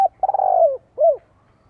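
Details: Decoy spotted dove calling to provoke wild doves to come and fight. A long, rough, quavering note slides gently downward, followed by one short arched coo, in quiet surroundings.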